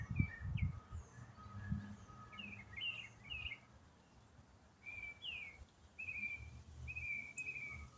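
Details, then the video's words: A single songbird in autumn sings one complex riff non-stop for minutes. Varied short chirps and slurred whistled notes come in clusters with brief gaps. Low rumbling background noise. "Autumn Songbird - What bird sings one complex riff for 8 minutes non-stop?"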